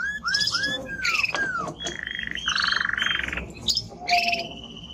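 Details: Male timbrado canary in strong song: curved falling whistles, bursts of high chirps, short rolling trills and a brief level whistle near the end.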